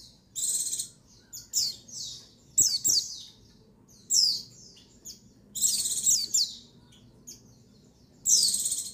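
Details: A female pleci (white-eye, buxtoni) gives high, bright twittering bursts, used to excite males into calling. The dense chattering phrases of rapid chirps recur roughly every one to two seconds, with brief single notes between them.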